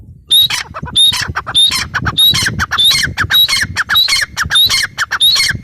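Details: Loud grating calls of a grey francolin, a steady run of around ten shrill, scratchy phrases in under six seconds, each rising sharply, with faint low rumble underneath.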